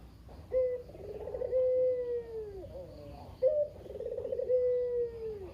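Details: A very chatty caged Barbary dove, locally called kugeru, whose mate has died, calling to stir other doves into song; two full coos, each a bright opening note, a trembling roll and a long descending moan.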